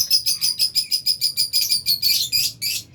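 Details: Aviary lovebirds, albino and Fisher's, chirp in a fast run of shrill, high notes, about a dozen rhythmic pulses in two and a half seconds, ending in a denser squeaky burst.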